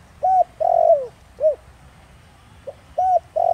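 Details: Spotted dove in the 'Thổ Đồng' voice used to provoke wild doves; a short coo, long downward coo and short coo, then after a pause the next phrase begins the same way.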